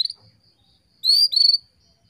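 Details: Female canary calling to rouse males into breeding condition: a short high whistled note, then two bright, sustained, slightly wavering high whistles in quick succession.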